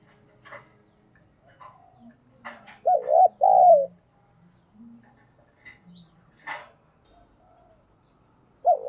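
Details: Lure spotted dove meant to set off cooing: two loud arched coos mid-way and one at the end, among scattered clicks, taps and faint background noises.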